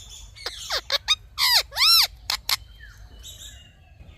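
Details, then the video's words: Indian ringneck parrot, said to be talking: a burst of loud, harmonic, arching squawks and sharp chirps between about 0.5 and 2.5 seconds, with quieter faint notes afterward and a brief closing squeak. "Funny Talking Indian Ringneck Parrot"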